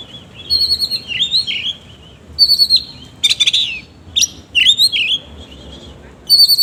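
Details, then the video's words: Oriental magpie-robin belting a varied song with coarse mimicked phrases: warbled whistles, scratchy buzzes and twisting slurred notes in loud bursts separated by brief gaps. "BURUNG KACER GACOR NGOBRA ISIAN KASAR"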